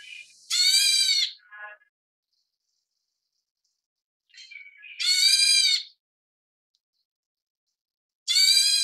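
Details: Black bulbul (Taiwan subspecies Hypsipetes leucocephalus nigerrimus) chicks being fed by parents give loud, harsh, rasping begging bursts about a second long, three times over roughly eight seconds, with a few softer, thin notes between.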